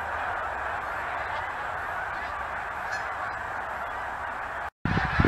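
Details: Geese in a huge flock that visits each year, honking together in a thick, unbroken chorus; near the end a brief dropout cuts the sound, followed by louder low rumbling.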